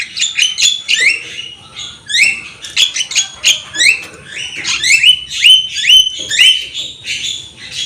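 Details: Javan myna singing vigorously with head-nodding, a tutor recording for young birds: buzzy chatter followed by a run of rising, slurred whistles repeated about twice per second.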